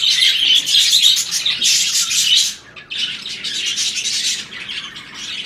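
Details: Budgerigars paired for breeding, while mating, warble in fast scratchy chirps, about four per second, loud for two and a half seconds, then a short break before quieter chattering resumes.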